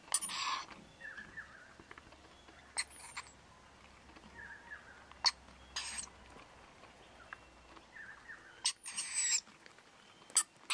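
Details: A wild Rainbow Lorikeet pair and their two babies feed on powdered nectar at a front balcony, giving harsh, raspy screeches every second or two mixed with softer chattering; the babies have high-pitched calls.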